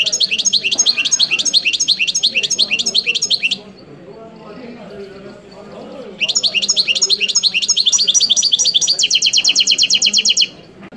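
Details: European goldfinch singing two long bursts of rapid, high, chirping notes repeated about three per second. The second burst ends in a faster, buzzy, even trill. A quiet low hum fills the pause between bursts.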